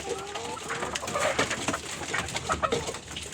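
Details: Layer hens kept at home, soft low wavering calls and clucks with a few short higher notes, over steady background hum and noise.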